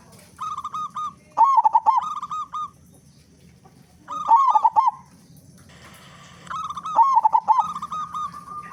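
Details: Actively singing local zebra dove with a big voice, a lure to make other doves sing. Three phrases, each opening with level soft coos and swelling into a loud burst of fast, rolling, wavering notes.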